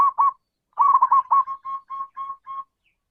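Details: Local zebra dove with a big voice, calling: two short coos, a pause, then a rolling stuttered phrase trailing into a string of evenly spaced mellow coo notes.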